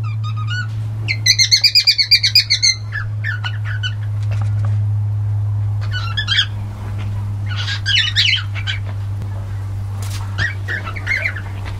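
A young cockatiel sings a run of bright, whistled notes and chirpy warbles over a steady low hum.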